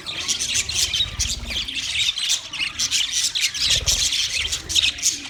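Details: Several white male budgerigars chirping during mating: a dense, continuous chatter of rapid high chirps, squawks and warbling twitters, rising and falling in bursts, with no pauses across the few seconds.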